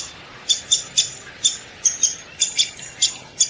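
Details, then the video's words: Sharp, high notes from a downy woodpecker, repeated irregularly several times a second, some in close pairs, with faint background hiss. "SOUND OF A DOWNY WOODPECKER"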